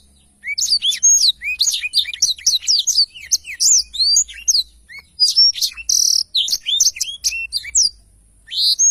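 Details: Tutor song of a black-throated canary: long, energetic sequence of quick upslurred whistles and chirps, interrupted by a buzzy note and short pauses.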